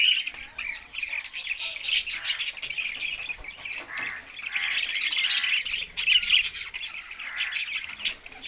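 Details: Continuous budgerigar chattering, dense overlapping chirps, scratchy squawks and warbling twitters, busy and lively throughout, with faint sharp clicks and taps mixed in.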